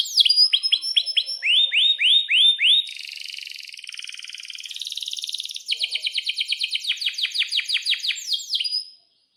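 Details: A canary sings in the long rolling style used as a lure and a tutor for young canaries learning to sing. Loud high swooping notes give way to a dense buzzy trill, then fast even rolls of downslurred notes.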